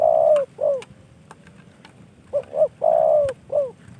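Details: Spotted dove, a captive bird from a hobbyist friend, cooing twice: each phrase a long falling coo followed by a short hooked note, with faint clicks between.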